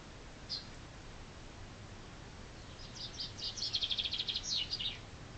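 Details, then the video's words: Spring chaffinch song: after a brief lone note, a rapid run of repeated sharp notes about three times a second, descending to a final flourish, with faint background hiss. "Chaffinch singing spring's praise!"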